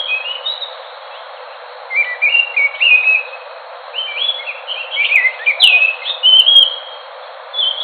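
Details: Song of the Enggano thrush: varied, rapid whistled phrases with rising and falling slurs, in bursts spaced a couple of seconds apart.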